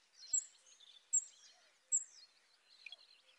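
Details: Western yellow wagtails at Lake Drużno giving sharp, thin, high calls about once every second, over softer twittering chatter and light background noise.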